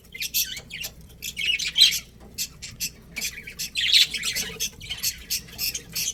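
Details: Budgerigars in a colony with a breeding pair, chirping in a busy flock chorus: dense bursts of harsh, buzzy chatter and squawks, overlapping and irregular, with brief quieter gaps between outbursts.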